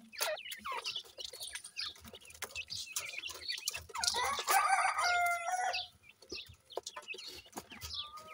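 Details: Grey francolin chicks feeding: scattered short high chirps and sharp clicks, then a loud, drawn-out harmonic call holding steady for over a second near the middle, followed by more brief chirps and tapping.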